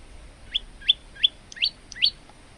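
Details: Male olive-backed tailorbird in full song, used as a training recording for other birds: five sharp upward-sweeping chirps, spaced roughly a third of a second apart, over faint background hiss.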